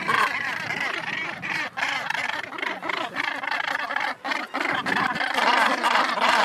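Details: Northern gannets calling at a nesting colony on Helgoland; overlapping harsh, grating calls from many birds form a dense, continuous chorus with brief dips.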